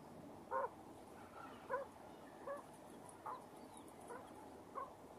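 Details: A mother quail brooding her chicks under her wings to keep them warm gives short, soft, low clucks about once a second in an uneven rhythm, with faint high peeps, likely from the chicks, in the background.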